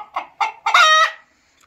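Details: Rooster crow built from two short rising syllables and a louder third note, ending in a long, steady, richly harmonic tone held for about half a second before fading.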